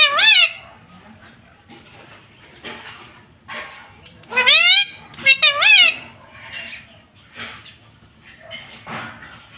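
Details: Pet ring-necked parrot, a green talking parrot called tota or mitthu, speaking in a high, nasal, strongly harmonic voice; short word-like bursts with rising and falling pitch, loudest around the middle, between quieter pauses in a room.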